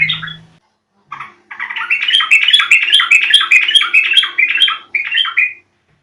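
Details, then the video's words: Yellow-vented bulbul call used to provoke other birds into song: a brief phrase, a pause, then a long run of rapid warbled, chattering notes that ends in a short final flourish. "Panggilan burung trucuk sangat jitu dijamin nyaut"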